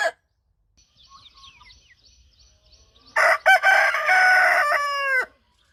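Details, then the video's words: Leghorn rooster crowing after faint distant chirps; a loud crow begins at three seconds, broken by short breaks, then a held, slightly falling tone ending sharply after about two seconds. "Ayam Leghorn BERKOKOK"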